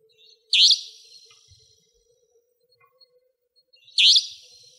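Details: Savanna nightjar, a nocturnal territorial resident of Pingtung County, Taiwan, giving two sharp, raspy, high buzzy notes about three and a half seconds apart, with a faint steady low hum underneath.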